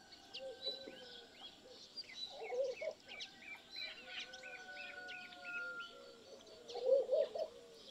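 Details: Laughing dove cooing: a run of soft, low, rounded coo notes repeated steadily through the clip, with two louder bubbling bursts, while small birds chirp and twitter higher up in the background.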